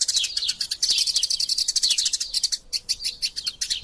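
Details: Eurasian tree sparrows in combat, a masteran tutor track: bright, high chirps crowding together, one short break midway, then clipped repeated tweets resuming.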